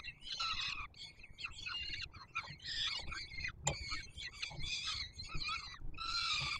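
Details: Young peregrine falcons at the Warsaw Palace of Culture and Science nest, Poland, 7 July 2022, calling while the male brings food: short grating wails, one after another with brief gaps, with low background rumble.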